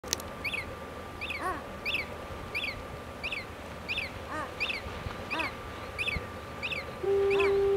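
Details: Common murre (Uria aalge) calls while feeding: high, rising-then-falling whistled notes repeat about every 0.7 seconds, with a couple of lower, harsher calls between them over a steady mechanical hum.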